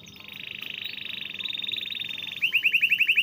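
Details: Canary singing for training reluctant or stalled canaries: a long, rapid buzzing roll held at a steady pitch for over two seconds, then a series of quick upswept whistled notes.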